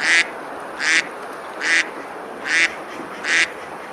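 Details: Ducks on a river at Besalú, Girona, Spain, on a summer day, eating and splashing; five loud, harsh quacks come evenly spaced under a steady rushing-water background.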